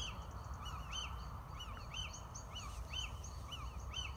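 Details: Little owl (Athene noctua) song in Cantabria, Spain: short, arched, nasal notes that rise and fall, repeated about once a second over a steady low rumble.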